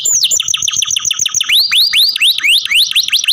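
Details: Kept canary singing quick repeated descending notes, then switching to a tour of upward-curving whistled slurs delivered about four per second.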